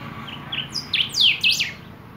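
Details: Song of golden-billed saltators: a quick run of short whistled notes that climb and fall sharply, growing louder toward the middle of the phrase, with faint low rumble behind.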